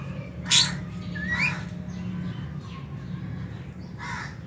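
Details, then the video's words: A colony of aviary lovebirds eating in January 2023, including albino, Fisher's and lutino birds plus a budgie; two loud squawks, one ending in a rising whistle, then softer chirps and a final rasp, all over hum. "Lovebird Chirping Sounds"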